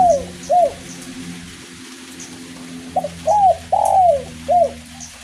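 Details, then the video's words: Spotted dove singing in the kuk 1 style while light rain falls. The clip opens on the end of one phrase, and after a pause a full phrase follows: a stutter, an arched coo, a long falling coo and a short coo. A faint hum runs throughout. "DERKUKU KUK 1 NGACOR DI IRINGI RINTIKAN HUJAN GERIMIS"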